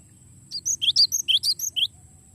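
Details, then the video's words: Rolling song of a cinereous tit, known locally as glatik batu, used to train songbirds: a brisk series of about ten piercing, high chirps, alternating higher and lower notes, against a constant thin whine and soft low rumble. "suara glatik batu ngeroll panjang"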